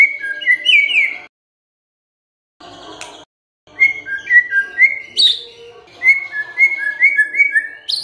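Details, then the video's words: White-rumped shama song played to provoke other birds into singing: a whistled phrase, a pause, then a run of repeated descending two-note whistles with a sharp buzzy note in the middle. "MURAI BENGONG LEWATTT❗Pasti NYAUT Dengar Pancingan ini"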